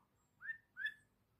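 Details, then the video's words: A pet bulbul bonding with its owner gives two clear, rising whistled notes about a third of a second apart, the second slightly higher and stronger. "#bulbul #birdsounds"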